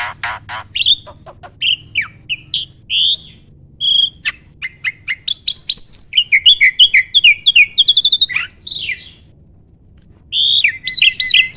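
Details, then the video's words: Starling song meant to spur other birds to sing back; long, varied run of sharp chirps, slurred whistles and quick chattering notes, with a brief pause before a final whistled phrase. "MASTERAN BURUNG JALAK AMPUH!!!"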